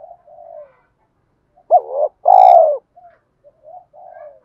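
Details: Spotted dove cooing used to set other doves cooing. A faint coo comes first, then after a pause two loud, deep hollow coos. Softer short coos trail off afterwards.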